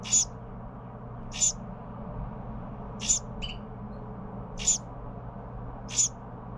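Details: Young Carolina wren fed by its parents, repeating five sharp, raspy high calls about every one and a half seconds, plus one brief softer note, over a low background hum.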